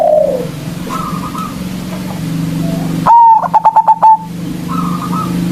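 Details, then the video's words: Local zebra dove used to lure rivals: one loud phrase of a ringing note and rapid stuttered pulses, with faint high trills and a steady low engine hum beneath. "Perkutut Lokal GACOR suara Besar Ampuh memanggil Lawan"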